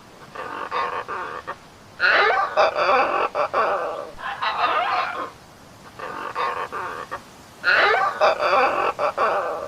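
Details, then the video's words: A macaw gives harsh, raucous screeches in two loud bursts about five seconds apart, with quieter grating squawks between them. "suara burung macaw"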